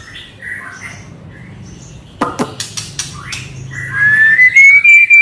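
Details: Agitated white-rumped shama song used as a lure to make other birds open their beaks and rage: soft scattered notes, then a run of loud harsh clicking rasps, then a bright, slowly rising whistle.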